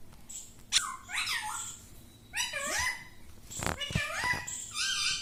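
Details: Parrot talking, saying "mittu": several voiced, harmonic syllables with rising and falling inflections in quick phrases, broken by sharp clicks and a harsh noisy burst mid-way, recorded in a small room.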